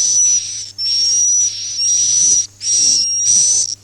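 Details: Recorded swiftlet lure for farmers, the "Masal" roosting sound: long, harsh, hissing high chirr bursts laid over a continuous piercing whistle, separated by brief pauses, with a low steady hum beneath.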